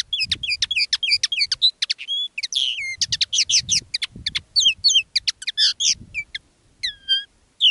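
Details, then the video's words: Live song of a decoy common linnet: bursts of rapid repeated chirps and twanging trills, broken by brief gaps, with scattered sweeping notes toward the end, against near-silent background. "Canto del Pardillo. Dos pájaros de reclamo"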